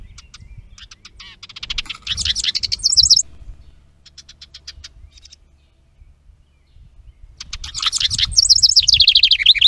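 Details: A house wren, filmed by trailcam at a bluebird nestbox where it built a stick nest on 10 May 2023, pours out two rapid, bubbling cascades of high chattering notes, separated by scattered ticks and a quiet pause.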